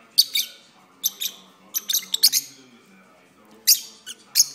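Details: Pet lovebirds singing while perched on their owner's arm during a long session: scattered sharp, shrill chirps and squeaks in short bursts with quiet gaps between them, in an indoor room.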